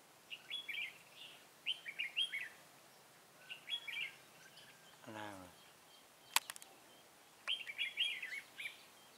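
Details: Red-whiskered bulbul decoy from Cao Phong, working a trap for wild birds on 23 August 2018: three bursts of quick warbled whistles separated by pauses, with a brief low human-like voice and a few sharp clicks in between.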